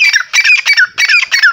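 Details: A captive female grey francolin, described as an Iranian bird held and kept by its owner, in hot weather, gives loud, harsh, squawking notes in quick bursts, about three per second, each with a shrill falling whistle.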